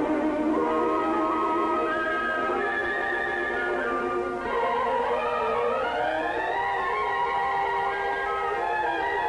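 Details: Orchestral music with a wavering operatic voice and sliding instrumental tones, with no animal calls.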